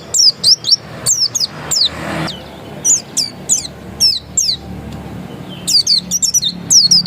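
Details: Dakun-type Oriental white-eye, said to be still original, singing short groups of thin, high, down-slurred whistles spaced by gaps of about a second, with a soft rushing noise in the background.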